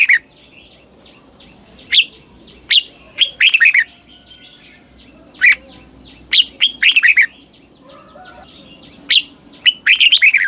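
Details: Red-whiskered bulbul in Thailand singing a doubled song in the southern master style, slow and clear, played for young birds to copy: bright warbled phrases of quick rising-falling notes, about five bursts with short gaps, faint whistles behind.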